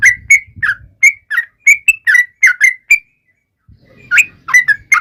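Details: Yellow-vented bulbul song meant to taunt rivals: spaced, clear whistled chirps slurring up and down, a short silence near three seconds, then more notes over low rumbling background.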